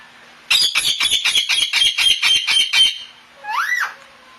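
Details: Two pet ringneck parakeets chatting: a loud burst of about ten rapid, harsh, high squawks over two and a half seconds, followed after a pause by one shorter rising-then-falling squeal.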